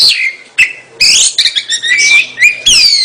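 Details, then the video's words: Oriental magpie-robin, called kacer, delivering descending whistles, a harsh rasping burst and a long clear whistle, then a final falling note, all loud and close. "kacer gacor"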